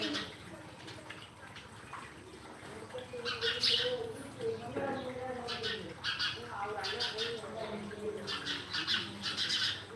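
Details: Sparrow chirping in a dense run of short, bright, scratchy chirps that build in the second half. A lower, wavering tonal sound runs beneath them in the middle section.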